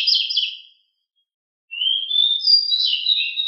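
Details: Home-kept pied bushchat (decu) master song. A trilled chirpy phrase is followed by a pause, then a long rising whistle that turns into fluttering, wavering warbles.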